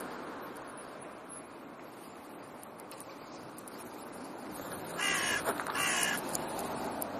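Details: In autumn a crow family, with young from the previous year, is back in its territory; two hoarse caws come roughly a second apart over steady wind and outdoor background hiss.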